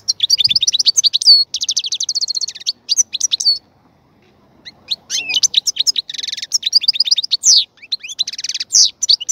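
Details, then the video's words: Caged European goldfinch, set up for a breeding cage, delivering fast liquid twitters and repeated high chirp series, then after a brief pause a burst of buzzy trills and tinkling notes running to the end. "الغناء الجميل جدا لحسون الحسون"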